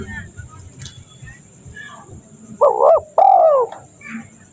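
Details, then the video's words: A spotted dove (tekukur), a call used to lure wild doves, gives two mellow, wavering coos, the second longer and dipping at the end, over a faint steady hiss and low background rumble. "Suara Burung Tekukur ini Bikin Tekukur Yang Dengar Langsung Panas Ikut Nyaut"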